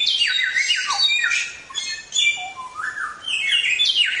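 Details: Samyong song used as training material for songbirds: loud, harsh slurred whistles and downward-sweeping notes in quick succession, with a brief lower dipping whistle midway and no background noise.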